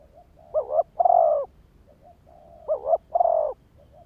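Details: Lure spotted dove calling: two phrases, each a quick doubled coo leading into a long soft rolling coo, with faint quiet coos between phrases.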